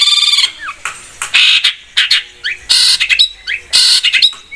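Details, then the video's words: Long-tailed shrike (cendet) giving loud, harsh, buzzy notes in repeated blocks, mixed with short slurred whistles, in a vigorous lure recording. "PANCINGAN BURUNG CENDET GACOR 100%"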